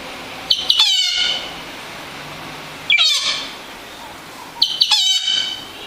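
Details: Singing yellow-rumped cacique giving three separate phrases, each a sharp harmonic note breaking into a falling series of rich, buzzy descending tones, with short pauses between them.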